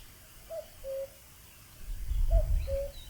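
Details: Common cuckoo calling outdoors: two clear falling 'cuck-oo' notes, then the pair repeated about two seconds later, with low rumbling noise and faint higher bird sounds near the end.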